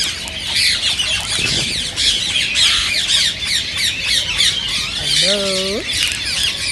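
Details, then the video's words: Rose-ringed parakeets in a noisy flock, calls said to encourage other parakeets to sing and mate; dense shrill screeching throughout, with a deeper, nasal, drawn-out rising call near the fifth second. "ببغاء الدره تحفيز رهيب رهيب"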